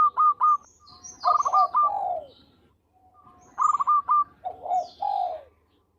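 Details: Actively singing local zebra dove with a sweet voice, suitable for luring birds: two full phrases of quick staccato notes sliding into lower rolling coos, each phrase about two and a half seconds. Faint high twitters of other birds sound behind.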